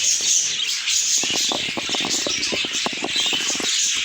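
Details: Short burst of budgerigar chatter: bright high chirps and scratchy warbles over rapid clicking and fluttering sounds.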